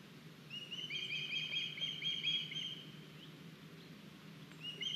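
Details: Osprey at an Estonian nest, 9 August 2021, a young bird bringing a large fish: a short, fainter series of whistled chirps over soft background noise, then a few more chirps at the close.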